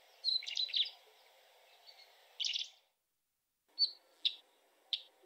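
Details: Northern wheatear (Oenanthe oenanthe), song.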